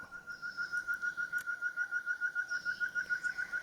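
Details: Ferruginous partridge (Caloperdix oculeus) calling in forest near a bird hide outside Kaeng Krachan National Park, Thailand: an even series of clear, mid-pitched whistled notes, about three and a half per second, over a faint forest hiss.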